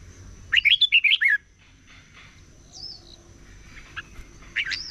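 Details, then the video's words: Morning competition singing of a red-whiskered bulbul: one short, fast burst of six bright warbled notes, then quiet background with a faint descending whistle and a few soft notes near the end, over a steady high tone. "Chào Mào Hót Đấu"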